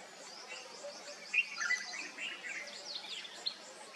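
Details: A family group of sunbirds giving high, thin chirps and short downslurred tweets, irregular and overlapping, with a brief louder burst of sharp notes near the middle over soft background noise.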